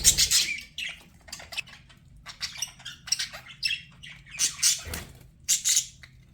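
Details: Domestic budgerigars chirp in quick, choppy bursts of buzzy notes, with a clattering knock at the start and another midway through.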